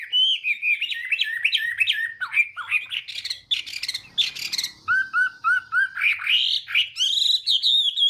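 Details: Chinese hwamei in morning voice-training song: a rich, varied run of fluty whistles and slurred notes, a harsher rattling passage mid-way, then repeated low whistles and bright rising phrases.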